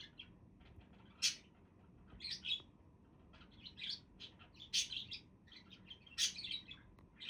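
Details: Budgies chattering in clusters of sharp high chirps and raspy squeaks, several loud bursts a second or so apart, low background hum.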